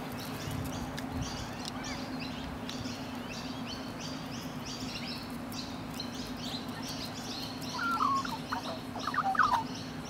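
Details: Australian rainbow lorikeets, a pair that bonds for life, grooming one another; steady scratchy high chatter throughout, joined near the end by a few clear, lower whistled notes from another bird.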